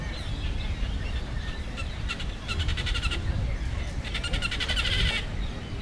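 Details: Great crested grebes fighting: two bursts of rapid, dry ticking notes run into fast rattling trains over steady low wind rumble.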